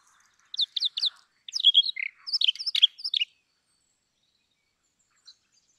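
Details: Indian chat or brown rock chat singing a short burst of high, sharp chirps and squeaky twittering notes. The phrase is varied and lasts about three seconds. Silence follows, with one faint note near the end.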